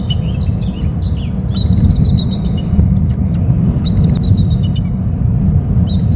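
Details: On Hornby Island, a bald eagle calls near its nest territory, caught by a nest camera: clusters of high, piping chirps that slide downward, coming in two or three bouts, partly masked by heavy low wind-like rumble.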